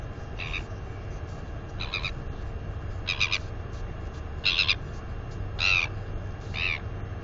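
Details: A northern royal albatross chick, 218 days old, squeals in delight while exercising its wings near the nest: six separate harmonic bursts about one per second, the later ones louder and more tonal, against soft wind, 9 April 2020.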